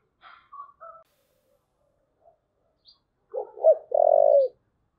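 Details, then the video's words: Soft scattered chirps come first, then a spotted dove's 'thúc gù' phrase: two short coos and a long, steady, low note. "cu gáy thúc gù"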